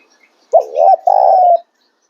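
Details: A single Spotted dove phrase: a quick rising note, a wavering coo, then a sustained, steady, hollow hoot, in a quiet setting.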